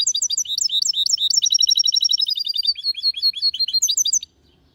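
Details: Goldfinch hybrid singing a clean song: fast high twittering notes, then a dense rapid buzzy trill, then varied chirps, ending abruptly in silence.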